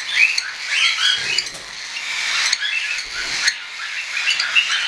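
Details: Young hand-tame cockatiels, weaned and unweaned, chattering in a group; overlapping chirps and short whistled squeaks with occasional low knocks.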